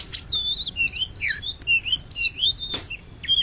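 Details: Greater green leafbird, an Indonesian national champion of 2013–2014, sings a fluent run of clear, looping whistled phrases, each one rising and falling, with a single sharp click near the end.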